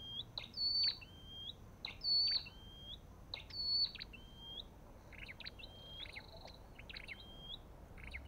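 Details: Olive-backed tailorbird producing rapid series of rising whistled notes mixed with sharp clicking bursts, loudest in the first four seconds, then softer repeats.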